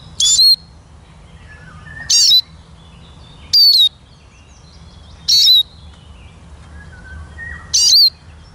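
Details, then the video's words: Eurasian siskin singing: five short, high, thin twittering bursts, each with a bright sliding note, repeated about every one and a half to two seconds over a steady low hum. "Как поет чиж"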